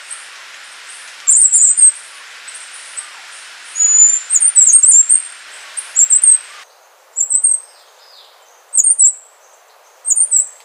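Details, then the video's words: Song of the Wrenthrush of Panama and Costa Rica: short, piercingly high, sibilant note clusters repeated every second or two. A broad hiss underlies the first part and then drops away, leaving the thin notes clearer. "O canto do Pula Pula de Rabo curto ( Zeledonia Coronata )"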